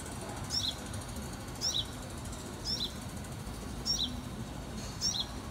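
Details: A plump young sunbird, recorded in 2018, gives short, high, sharp two-note chips, repeated about once a second, over a low steady background rumble.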